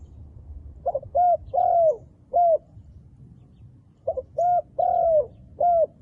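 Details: Wild dove cooing: two short low hoots and then a longer, drawn-out coo that slides gently downward. The phrase is given twice about three seconds apart, over a faint low background rumble.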